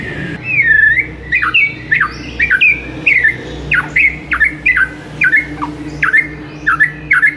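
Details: White-rumped shama song used as training material for a silent bird, a run of sharp whistled notes that swoop downward, repeated roughly twice per second, against a low constant hum.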